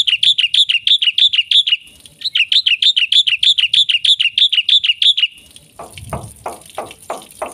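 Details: Black-winged myna, called jalak putih, giving full-isian gacor song: two long runs of fast, regular high chirps with a brief gap between them, followed by a string of rough, lower clicking notes.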